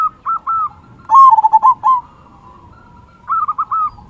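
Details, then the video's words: Local zebra dove with a big 'kung' voice, singing actively, used as a lure to make other zebra doves sing: short groups of soft, low cooing notes, a louder rolling burst in the middle, then another cooing phrase. "Perkutut Lokal Gacor Suara Kung Besar Pancingan Burung Perkutut Agar Bunyi"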